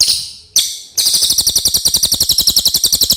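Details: Common iora giving a clear song intended as a training master: after two short high bursts comes a sustained, fast trill of bright, sharp notes.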